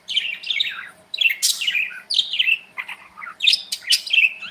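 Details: Budgerigars in their aviary chatter loudly and continuously: rapid, rolling warbles of bright chirps that rise and fall, with one sharp squeaky burst in the middle.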